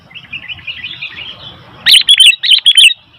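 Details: Sooty-headed bulbul in noisy mood: a soft, distant run of chattering notes, then loud, rapid bursts of bright, liquid chirps in two tight groups; low background rumble.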